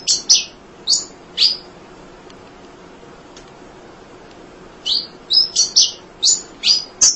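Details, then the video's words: Tireless munia singing for songbird training: a few sharp high chirps, a silent stretch of about three seconds, then a faster run of repeated bright chirps. "Kicau Emprit Ngoceh Tak Kenal Lelah Untuk Masteran"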